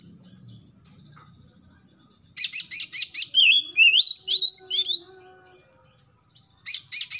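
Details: Oriental magpie-robin morning song, used to prompt young birds to sing more often: a burst of rapid harsh clicks, then a run of rising whistled slurs, ending with more quick clicking notes.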